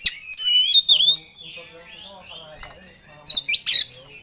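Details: Oriental magpie-robin in rival-seeking song: a rich whistled phrase at first, then softer gliding notes and a quiet spell before two loud harsh bursts at the end.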